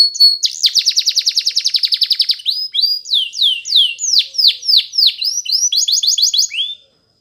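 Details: Belgian canary song for teaching young canaries: opens with a strong, fast, even trill of nearly two seconds, then varied sweeping whistles and quick upslurred chirps, ending in silence.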